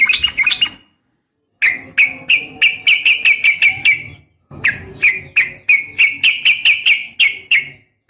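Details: A female yellow-vented bulbul calls to a male: a brief chatter, then long runs of sharp, bright, clipped notes, about three per second, in two bouts separated by short pauses, with faint low background noise.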